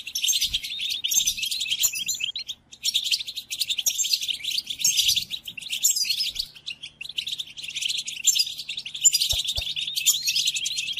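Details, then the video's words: Long European goldfinch song for tutoring pet goldfinches through the moult: continuous fast twittering, jingling and buzzy notes, very high, with small pauses between phrases and a few soft low knocks. "قدم هذه الآصوات لطائرك الحسون وشاهد ماذا يفعل"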